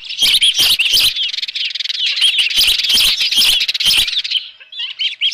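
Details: Osprey at its nest with a live fish, June 2018 morning: a dense, fast stream of shrill arched chirps, about nearly three per second, with rattling knocks, easing into a few softer whistles at the end.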